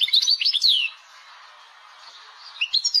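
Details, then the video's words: Algerian European goldfinch song in the tebnija style with laglag, from a caged bird: a quick burst of bright twittering and sliding notes, a pause with faint background hiss, then another chattering twitter phrase. "تبنيجة مقنين...باللاڨلاڨ لبنين"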